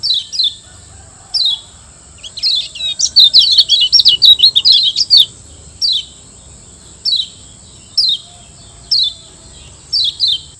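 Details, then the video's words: Lombok yellow white-eye (kecial kuning) used as a master song for training caged birds: short, downward-slurred high chirps in pairs every second or so, a fast tumbling twittered burst in the middle, over a steady high electronic whine. "Masteran Kecial Kuning Auto RESPON CEPAT‼️Gacor PERMANEN‼️"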